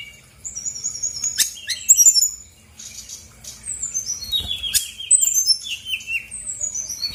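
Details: Brown-chested jungle flycatcher, a female in full song, used as a lure to set quiet cage birds singing: thin high whistles, slurred downward notes and quick chirps at varied pitches, with brief pauses between phrases.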